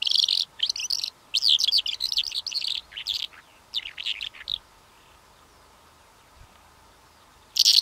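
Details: Calandra lark song in long unbroken bursts of rapid high chirping and rattling notes, falling silent for about three seconds before another loud burst begins.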